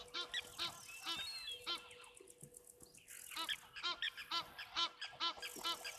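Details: Egyptian geese at a waterhole on 15 January 2024 honk harshly and repeatedly, about two calls a second, sounding unhappy and agitated; blacksmith lapwings and a high-pitched whistle, possibly an eagle, call in the background.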